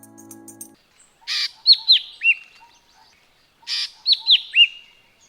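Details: Jerdon's leafbird (Chloropsis jerdoni), Sri Lanka, call: a harsh rasping burst then three clear downward-dipping whistled notes, the phrase given twice, with a faint hum at the start.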